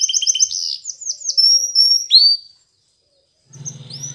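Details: Yellow canary's training song: quick high slurred notes and trills, a pure whistled tone and a rising sweep, then the bird falls silent and a low mechanical hum follows.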